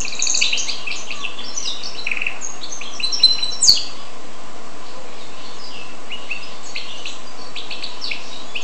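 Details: Hybrid of goldfinch and canary giving a jumble of quick high chirps and trills in the first four seconds, including a sharp click, followed by softer, sparser twittering notes against steady low hiss.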